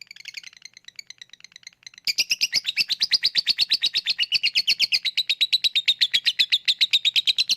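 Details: Lovebird's ngekek, played as a lure for birds that won't sing: soft scattered chirps for two seconds, then a sudden loud, steady stream of rapid rasping notes.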